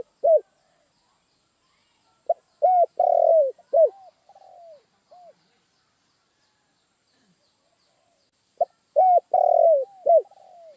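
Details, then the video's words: Spotted dove (tekukur) giving two complete coo phrases several seconds apart, each a few sharp short coos, a long loud falling coo and trailing softer notes, with near silence in between. "suara burung tekukur"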